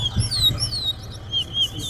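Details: Chestnut-bellied seed finch singing in a singing competition, a rapid run of sweet, sliding whistled notes, high and varied, over a low murmur of background voices and counting.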